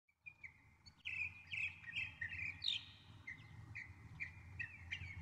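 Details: Northern mockingbird singing a varied run of high chirped and whistled phrases, several notes repeated in quick series before switching to new ones, over a steady low rumble.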